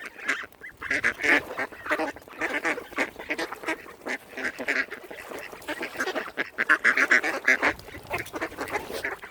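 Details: Mute swans gathered on Kinnego Bay, Lough Neagh, Northern Ireland, give a dense run of brief honking and snorting notes, several birds calling at once with barely a pause.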